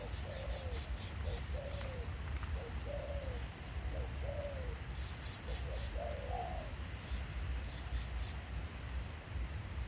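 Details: Spotted dove recorded live in the field at Pha Sing, Thailand, during decoy calling: a series of soft, low cooing phrases repeated about every one to one and a half seconds, over steady wind rumble and faint high hiss.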